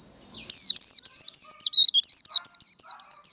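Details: Japanese white-eye performing a Vietnamese 'líu đấu' fighting song: after a thin steady high tone, a rapid unbroken string of bright, looping, high-pitched chirps, about five per second, with no other sounds.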